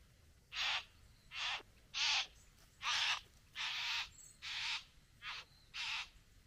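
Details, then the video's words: Courting a female at the bower, a satin bowerbird gives eight harsh, buzzy rasps of similar length, spaced roughly three-quarters of a second apart in a steady grinding sequence. "Bowerbird. ( Courting female at the bower)."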